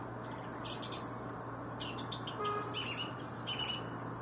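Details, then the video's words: Small bird singing: scattered short chirps and a few thin, high whistled notes, fairly faint over a steady low electrical hum. "Śpiew ptaka"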